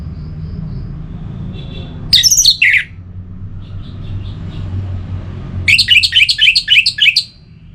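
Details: Orange-headed thrush in north Bali, a recording meant to stimulate singing: a short harsh burst, a pause, then a fast series of about eight scratchy, squeaky notes over a low hum.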